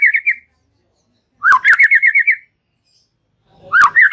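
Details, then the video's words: White-rumped shama giving relaxed chattering song to tutor young birds: bursts of quick repeated chirps, each starting with a dipping upslurred note, separated by short silences, with sharp clicks. "Ocehan SANTAI Murai Batu"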